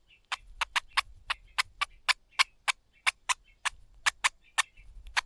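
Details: Streaked spiderhunter chicks being fed by their mother beg with sharp, high clicking notes, about three a second, run together with brief softer twittering between bursts.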